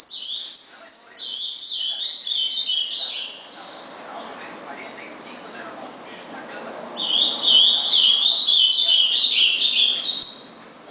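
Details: An ultramarine grosbeak, recorded 19 August 2014, sings two loud, rich warbled phrases of sweet whistled notes, each about three to four seconds long, with a quiet pause between them.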